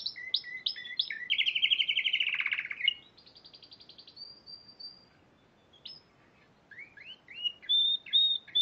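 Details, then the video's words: Spanish Timbrado canary, March 2014 competition winner, singing a loud rolling trill, a soft high sustained buzz, a pause, then short looping whistled slurs. "Kenari Spanish Timbrado Juara Piala Raja Maret 2014"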